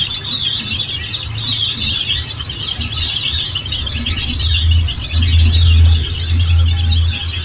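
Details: Oriental white-eye singing in a bird-training recording: a busy stream of sharp, high, overlapping chirps and quick downslurred trills, backed by a low rumbling hum that swells louder toward the end.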